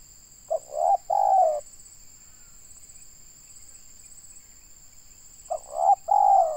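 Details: Indonesian local spotted dove kept for decoy trapping, noted for a loud voice. Two coo groups about five seconds apart, each a short double note followed by a drawn-out falling coo. A quiet gap lies between them, over a constant high hum.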